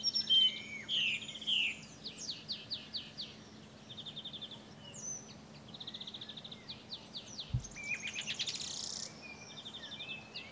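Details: Song thrush song from France, adult and juvenile together: loud, varied phrases of sharp whistles, clipped notes and rapid chattering trills, each motif repeated several times before switching, with one low thump.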